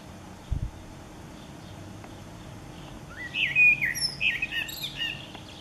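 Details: Common blackbird singing on 29 April 2019: after a soft thump near the start, a single phrase of low fluty warbling notes runs into a thin, high twittering flourish, then silence.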